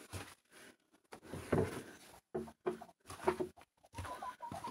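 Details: Broody hens in a Siberian coop on a fine, thawing day after fresh snow, just given about 14 eggs to sit on, cluck in low, broken bursts while a person talks nearby.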